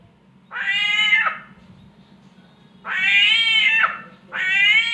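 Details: Samyong bird mimicking a cat's mating call: three loud, rasping, drawn-out yowls, with the first standing alone and the last two close together. A steady low hum runs beneath.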